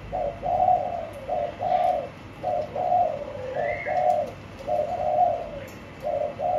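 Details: Spotted dove in a cage cooing steadily in soft, husky two- and three-note phrases. A short rising whistle from another bird is heard midway.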